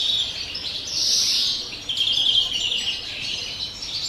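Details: European greenfinch in pure campero song, dated 30 December: a drawn-out buzzy note followed by a quick glittering trill and continuing high twitters.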